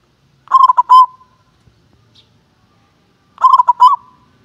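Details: Contest-class local zebra dove calling: a quick cluster of clipped, bubbling notes finishing in a drawn-out trilled coo, given twice about three seconds apart against near silence.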